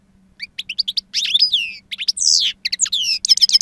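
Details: Wild-style song from a two-year-old European goldfinch, valued for its strong timbre and long calls: rapid tinkling chips merging into buzzy, drawn-out rasping notes and sweet descending whistles, nearly continuous.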